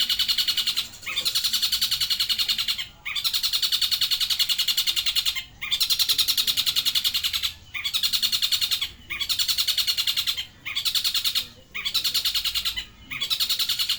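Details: Long-tailed shrike from Banyuwangi imitating the tengkek buto: loud, rapid rattling chatter in long continuous bursts of one to three seconds, broken by brief gaps, harsh and buzzy throughout.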